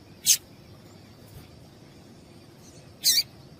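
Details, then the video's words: Calls of a female double-collared seedeater, meant to prompt the male to sing: a short, shrill high chip, then after almost three seconds a second slightly doubled chip, with quiet hiss between. "Piado de fêmea de Papa Capim Vai deixar Seu Papa Capim Cantando"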